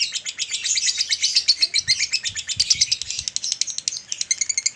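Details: Male lovebird chattering at length, recorded to spur adult males into continuous singing: fast, slightly uneven high chirps throughout, with some soft low thuds in the middle.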